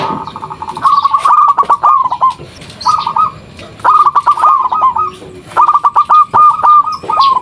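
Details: Local zebra dove cooing as a lure call so that other zebra doves respond: repeated rolling phrases of fast, bubbling mid-pitched notes, some long and trilled, over a background of rustling noise.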